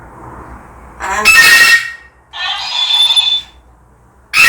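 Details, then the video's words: Pet African grey parrot, described as angry after being provoked by a toy spotted calf, giving two loud harsh noisy bursts, one around a second and one just over a second long, separated by a short silence, with another burst starting at the end. "얼룩송아지가 똘이를 화나게 만들었어? 화가 많이 났구나?"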